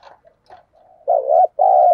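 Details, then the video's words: Decoy spotted dove calling to lure wild doves: faint scattered notes and a low hum build into two loud, mellow, slightly wavering coos delivered back to back. "Chim Cu Mồi Thúc Bổi Và Gáy Gọi Hay/ Tiếng Chim Cu Gáy Thúc Gù Căng"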